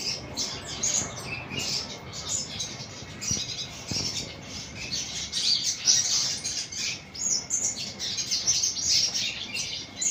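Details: Sunbird song made of quick, very high, thin chirps and twitters, given in dense bursts throughout, over a faint steady background hiss.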